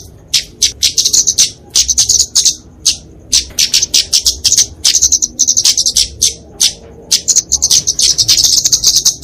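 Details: Flowerpecker fighting song for tutoring and luring songbirds: short, high, dry ticking phrases repeated in rapid succession, each burst a cluster of sharp notes, pauses of about half a second between.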